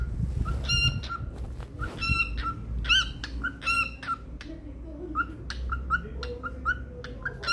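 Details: Happy domestic cockatiel chirping steadily: short clipped harmonic notes repeated roughly twice a second, interspersed with softer whistled blips, low household noise underneath.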